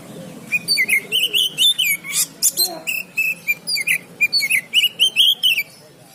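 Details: Oriental magpie-robin at a bird market for training: a steady run of about twenty short, bright whistled notes with sharp clicks, over a faint low murmur.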